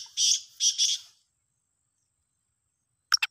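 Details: Black francolin, a single bird giving varied calls: three harsh, grating high bursts in quick succession, then silence and a short double click near the end.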